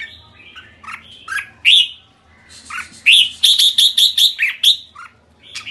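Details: Red-whiskered bulbul kekek call: mixed chirps and slurred notes, then a rapid steady series of about eight sharp, ringing, evenly spaced notes, trailing off into softer chatter.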